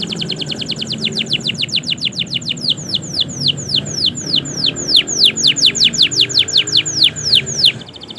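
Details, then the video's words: Canary song, a long continuous performance used as a master recording to prompt silent canaries to sing: rapid trills of descending whistled notes, about two per second at first then quickening, running steadily throughout. "Masteran suara Burung Kenari Gacor Panjang Auto Nyaut Kenari Macet dan Paud"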